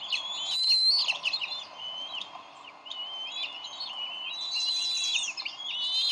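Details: Bald eagle pair at the Decorah nest on 30 May 2012, squabbling over a fish the male delivered before the female feeds the eaglet. High whistled chitters slide up and down, with a louder burst near the start and again near the end.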